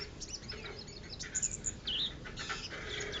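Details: Contest white-eye in Lerep, Karangawen, Demak, Indonesia, a winning and persistent singer: loud, varied, high chirps and twittering with a wavering whistled phrase near the middle, among a noisy crowd of other birds.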